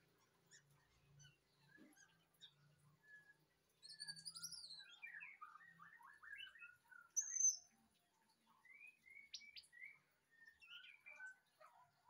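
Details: White-rumped shama song: varied phrases of quick whistled notes, rising and falling slurs and rapid chattering runs, with a sharp piercing high note partway through and short pauses between bursts, over a faint low hum.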